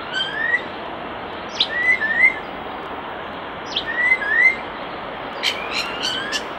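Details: Common starling singing by a nest box: sparse rising whistles and short slurred notes, with bursts of sharp clicks near the end, over a steady hiss of background noise.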